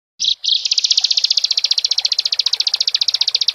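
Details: Bar-winged prinia (Prinia familiaris) song, used to stir a ciblek into singing: a short high note, then a fast, even, high-pitched trill of about a dozen notes per second, with no other sounds.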